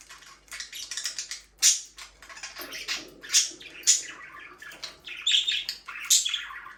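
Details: Pet parakeets chatter continuously with buzzy, grating chirps and sharp high squeaks, the louder notes spaced a second or two apart, indoors.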